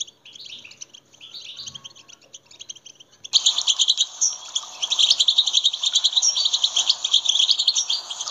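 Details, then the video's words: European goldfinch song intended to excite other goldfinches into song: softer twittering at first, then a loud, dense, unbroken stream of rapid, high, jingling and buzzy notes. "en iyi saka huylandırma sesleri birleşimi"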